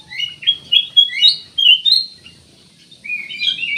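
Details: Black-naped oriole singing in short bursts of clear, warbled whistled phrases, some rising and some falling, with a brief pause in the middle and quiet background.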